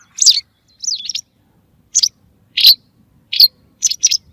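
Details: White wagtail calls used as a lure for hunting: seven sharp, high chirps, several double-noted with quick downward slides, spaced irregularly over about four seconds against a silent background.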